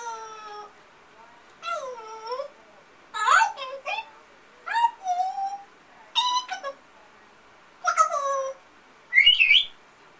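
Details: Pet African grey parrot imitating household sounds, including a companion amazon parrot and coughing: a series of wavering, harmonic, moaning calls and squawks, each about half a second long, separated by short silences.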